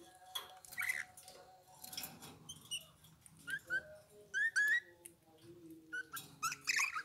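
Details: Eurasian bullfinch song: soft, separated fluted whistles and short rising and falling piped notes with quiet gaps between them, plus a few faint clicks in a quiet setting.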